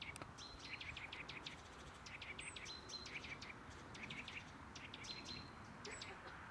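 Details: A Eurasian nuthatch at Žale cemetery, Ljubljana, on 18 February 2024, gives sharp, high clicking notes in quick bursts with a few short level whistles, over a steady low roar of distant traffic.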